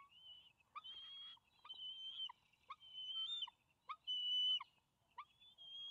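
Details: Two young bald eagles compete at the nest after their father delivers a fish, late May 2020. Loud, high, piercing whistled notes repeat in rapid bursts. Sharp, lower chips are mixed among them.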